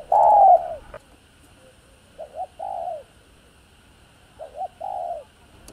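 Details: Spotted dove (cu gáy) calling to stimulate other doves. One strong falling coo opens, then quieter phrases of two short hooked notes and a drawn-out coo, separated by silent gaps.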